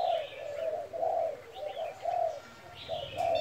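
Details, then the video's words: Spotted dove giving gáy thúc and thúc gù coos: soft, throaty notes spaced about a second apart in gently rising and falling pairs, over faint low hum and quiet distant chirps. "Cu gáy thúc kèm , thúc gù"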